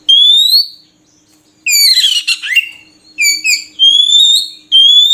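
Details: Oriental magpie-robin (murai kampung) song: a long pure rising whistle, a pause, then a noisy scratchy burst, short twittering notes and two more drawn-out clear whistles, over a faint steady low hum.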